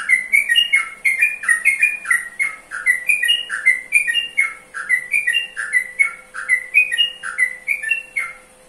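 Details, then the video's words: A Yellow-vented Bulbul sings a lively, bubbly string of rising and falling notes, about three per second, over a steady high hiss and a faint low hum. "Suara Burung Trucukan"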